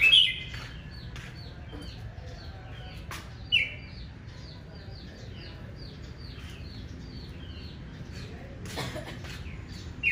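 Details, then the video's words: Red-whiskered bulbul singing aggressively in the morning, a duelling challenge song meant to fire up males: three loud, sharp whistled phrases spaced apart over a steady chorus of many thin repeated notes from other birds. "Tiếng chào mào hót đấu ché | Kích chào mào lên lửa"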